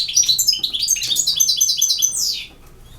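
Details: European goldfinch from Bosnia and Herzegovina giving campero-style song, a quick tumbling run of high tinkling and twittering notes ending in a falling slur, then quiet.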